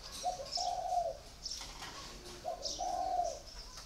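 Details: Spotted dove in a cage for four years, cooing twice in quick low phrases, a brief note then a longer rolling coo, with faint high bird chirps behind.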